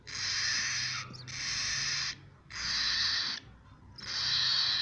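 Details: Young cockatiel chicks producing loud, raspy hissing calls, each burst lasting around a second with brief gaps between, four bursts in a row.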